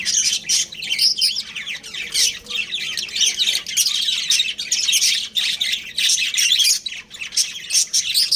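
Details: Breeding pair of pet budgerigars kept at home, chirping continuously: dense bright warbling chatter with quick tweets and squawky notes packed together, overlapping bursts with only brief pauses throughout.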